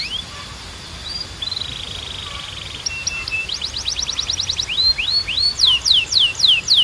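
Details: Belgian canary singing, opening with soft thin whistled notes and short buzzy rolls, then building into rapid rattling trills and a series of loud, steeply falling whistled slurs repeated about four times a second; faint steady background hum.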